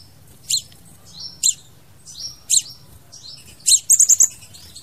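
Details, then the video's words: Crimson sunbird singing, a sound used to attract or trap birds: sharp high chips about once a second, each trailed by a thin falling whistle, ending in a quick run of four bright notes. "TIẾNG CHIM HÚT MẬT XÁC PHÁO HÓT .MP3 | Aethopyga siparaja bird song"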